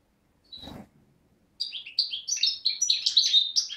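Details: Parva goldfinch, a young bird of 2011 from Beni Snassen on the Morocco–Algeria border, recorded 8 January 2012: a soft thump and brief note, then a quick stream of high tinkling twitters.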